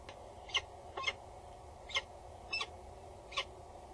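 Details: Female peregrine falcon calling loudly and bowing above a nest box at Axel Tower, Netherlands, with the male nearby, 22 August 2019 at 10:55. Five harsh, scratchy calls come at uneven intervals of about half a second to a second over a steady low hum.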